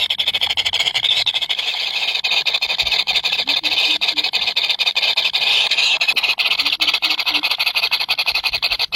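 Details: Three very hungry chicks call nonstop in a high, buzzing chorus of rapid cheeps, with faint low murmurs in the background.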